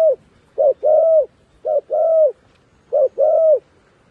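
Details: Used as a decoy to call wild doves down, a dove repeats a steady low phrase of one short coo and one long level coo, three times at even spacing, clear and close.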